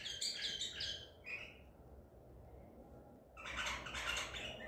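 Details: White-eared bulbul of the Baghdadi type, a caught bird, recorded 14 April 2021, singing two bursts of bright chirping, warbled phrases separated by a pause of about two seconds, with a low background hum.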